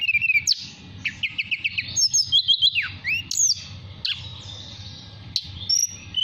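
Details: Mountain tailorbird caged in Purworejo, Central Java, calling a female with nyuling whistles: a short series of quick repeated notes, high piping chips, a swooping slur, then sustained thin whistles.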